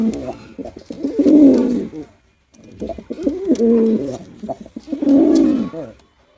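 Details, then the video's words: Male pigeon cooing during a performance: three long, low, throaty phrases, each swelling and fading, separated by short silences. "Male Pigeon Super Performance || Male Pigeon Sound"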